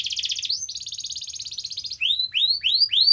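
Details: Canary song played to get a non-singing canary going: a quick trill, a long even rolling trill, then four separate rising whistled notes about a third of a second apart.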